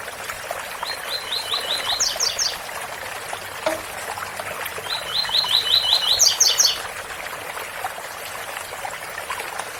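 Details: Two phrases of the tui tui song style from a double-collared seedeater, each a rapid chain of short chips ending in higher, bright notes, about four seconds apart, with constant waterfall roar and a single click between them.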